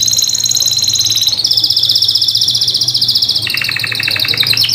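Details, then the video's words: Atlantic canary singing a lure song to restart silent birds: continuous rapid buzzing trills, rising into a brighter, higher tour and then dropping to a lower rattling roll, over a faint low hum. "PANCINGAN canary MACET BUNYI || BURUNG canary YANG MACET BUNYI || JADI EMOSI BUNYI KEMBALI.!!"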